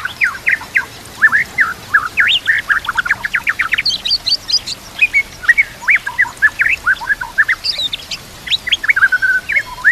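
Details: White-rumped shama song for training other shamas, its repertoire filled with kapas tembak, canary and cililin phrases, over a natural background with trickling water: a fast, unbroken stream of rising and falling whistled chips and slurs, densely repeated for ten seconds.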